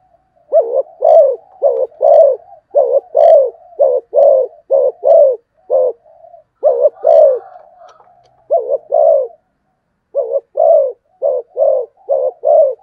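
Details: A long, rapid run of deep paired coos from a spotted dove, fast cooing almost without break for thirteen seconds. The run pauses briefly once, then resumes in an even, rhythmic series.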